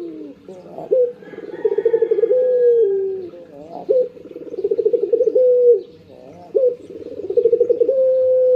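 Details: Pet Barbary dove calling in the morning: three similar phrases, each a short rising lead-in, a rapid purring roll, then a held steady coo, spaced roughly every three seconds.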